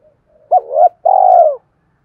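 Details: Spotted dove voice used to call wild doves in: a short hoot running into a swelling note, then a long, steady, purring coo that tapers downward.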